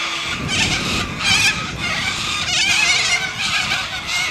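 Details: Australian white cockatoos, described as very noisy, giving harsh, raspy, broadband screeches in overlapping bursts roughly every half second to one second, with a steady low rumble beneath.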